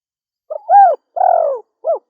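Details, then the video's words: A female spotted dove coos once: a stuttered short note, a louder arched note, a long buzzy coo falling gently in pitch, then a brief clipped final note, in a quiet setting. "SUARA DERKUKU BETINA"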